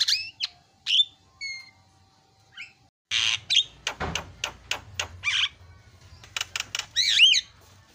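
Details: Lively Javan myna song used to coax a quiet bird into singing: a few sparse whistled and scratchy notes, then a busy stretch of harsh chatter, clicks and a looping, warbled whistle at the close.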